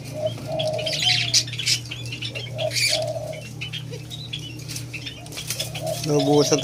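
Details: Alimukon, the white-eared brown dove, during taming: a few smooth hollow notes, one drawn out, against busy high-pitched chirps, rustling and a low droning hum, with a brief harsh buzzy burst near the end.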